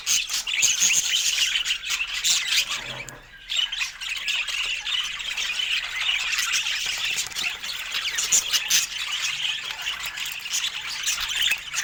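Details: Budgerigars kept as pets chatter while sharing fruit. A constant high, grating warble runs throughout, broken by one short quiet gap before the squawks and chirps resume.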